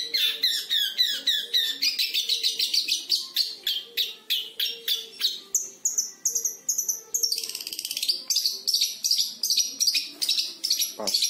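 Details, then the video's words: Long-tailed shrike aged five months, a caged bird mimicking lovebird and canary, delivers dense rapid strings of high clipped notes and chattering trills, changing pattern midway, with a faint low hum beneath. "Cendet Umur 5 Bulan Belajar Nembak Lovebird Dan Kenari Secara Fasih"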